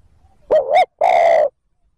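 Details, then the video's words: Spotted dove cooing to lure wild birds: one close, low two-part coo, a wavering first note followed by a longer, steady, mellow hoot. "TIẾNG CHIM CU GÁY THÚC GÙ KÍCH BỔI NHANH NỔI CỰC SUNG, MỒI NGHE LÀ GÁY"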